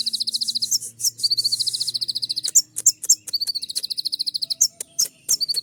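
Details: Purple-throated sunbird (kolibri ninja) singing in the sharp "tembakan" style meant to provoke other sunbirds: dense, high-pitched rattling trills run almost without pause, broken by sharp ticking notes and short shrill chips.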